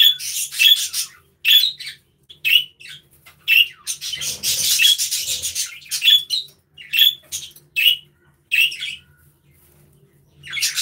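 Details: Several budgerigars chirping and interacting in an aviary: a rapid run of short, sharp, scratchy chirps with thin whistled notes, repeated roughly every half second, and one longer, harsher burst of noisy chatter in the middle.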